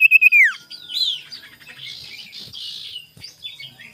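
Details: Morning sirtu song used as a lure to provoke rivals. A few quick high notes drop into a steep falling slur, followed by jumbled, scratchy chattering phrases.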